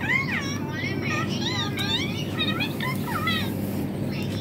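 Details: Pet rose-ringed parakeet talking with a mobile phone: rapid run of wavering, swooping voice-like syllables with rising and falling tones, over a steady low hum of background noise.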